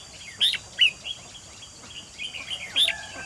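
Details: Caged decoy red-whiskered bulbul luring wild birds into a trap, 28 June 2020; bright high chirped whistles in quick pairs, then a short burst of warbled notes, with faint background calls.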